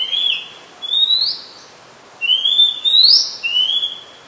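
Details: Very common resident Oriental Magpie Robin singing in Ubon Ratchathani, Thailand, on 2 July 2022; loud, close, varied phrase of rising sweet whistles and slurred notes reaching high pitches, delivered in quick succession with brief pauses.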